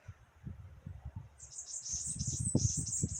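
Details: Birds singing in the morning: a high, rapid twittering trill starts partway through and runs to the end, over heavy low rumbling noise.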